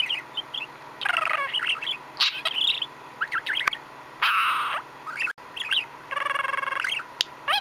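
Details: Contented pet budgerigar, a male, chattering away: warbled squeaks and chirps, harsh buzzy rasps and a short pulsed grating burst near the end.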